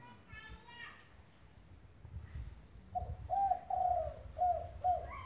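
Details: Spotted dove coo heard after a quiet start with faint high chirps; a series of five low, slurred coos in the final two seconds, low rumble underneath.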